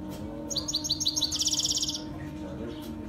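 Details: Canary singing a Saira full-start training song for young birds: after a soft start, quick high chirped notes run into a dense, fast rolling trill lasting over a second, then fade into quiet hum.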